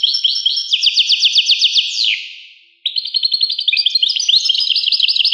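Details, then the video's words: Rapid, high twittering trills from a European goldfinch, with a drawn-out downslurred note fading away, a short silence, then another bright burst of jangling, chattering notes. "Carduelis carduelis. song Carduelis carduelis pure"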